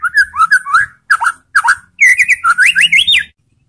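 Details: White-rumped shama singing a lure song meant to excite other shamas to reply: clear fluty whistles in wavering, rising phrases, several short bursts followed by a longer run of looping whistled notes.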